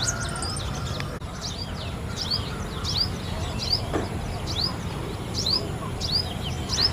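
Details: Purple sunbird calling: thin, very high, sharply down-slurred notes repeated at uneven intervals over a constant low rumble of traffic-like background noise.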